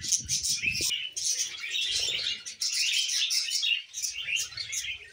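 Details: Pet budgerigars keep up a dense, high warbling chatter of quick scratchy chirps. Low knocking and handling sounds are heard at the start and near the end.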